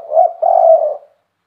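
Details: Spotted dove in KUK 3 style with a big voice: a short soft coo running into one long, smooth, low coo that fades out.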